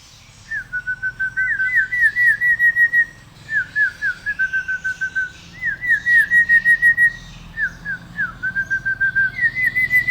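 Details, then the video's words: A hill myna copying a person's whistle. It repeats a clear whistled phrase about five times, each a fast train of pulsed notes that dips, then holds steady, separated by short pauses. "Burung Beo Pandai Bersiul"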